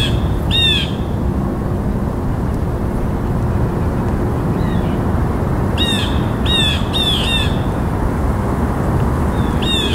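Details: Blue jay giving harsh, nasal downslurred calls, one near the start and then a quick series of four around six to seven seconds, with a last call at the end, over steady low rumbling background noise.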